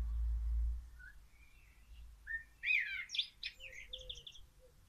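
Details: A common blackbird singing hidden in a tree gives a phrase of soft, low fluted notes that climbs into a quicker, higher twittering flourish, over faint low rumbling background noise.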